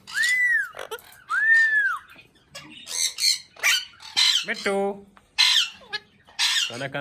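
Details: Talking Indian ringneck parrot: two smooth arched whistles open, followed by buzzy speech-like squawks and a nasal, stuttering phrase, in uneven bursts.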